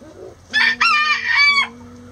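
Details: Before dawn, a rooster crows as the flock leaves the coop: one loud, hoarse cock-a-doodle-doo of just over a second, broken into a short opening note and a longer sustained part, with low clucking hens before and after.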